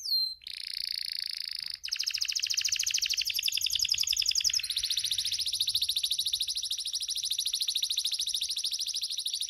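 A canary sings a few short whistled notes, then long rapid rolling trills, shifting to a higher, faster pulsed roll partway through.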